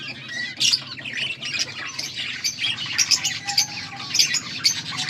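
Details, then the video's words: Several budgies chirping together, a dense run of overlapping squawky chirps and scratchy warbles with no pause, recorded August 14, 2024, with a soft low background hum. "Budgies sounds for lonely birds birds chirping sounds"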